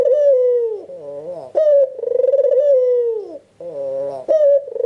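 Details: Albino white Barbary dove calling steadily to stimulate silent doves; a long vibrating coo falls gently in pitch, followed by a softer wavering note, then another abrupt coo begins.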